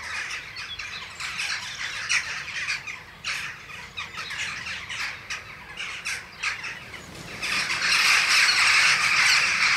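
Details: Several western jackdaws at a castle's weather vanes (Ringenberg Castle) on a morning visit give sharp, squawky 'chak' calls in quick overlapping bursts, rising into a louder chattering chorus near the end.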